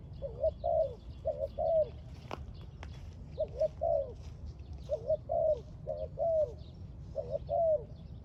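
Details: Spotted dove near a bird trap, giving repeated low cooing phrases, each a short double note followed by a longer falling coo, in groups separated by pauses; a faint background hum and a few sharp clicks.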